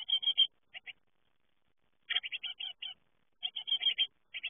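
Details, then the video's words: Young great tits fledging from the nest: short, high, harmonic-rich calls in quick clusters of two to five notes, pausing between bursts, on an otherwise quiet background. "Uitvliegen koolmeesjes"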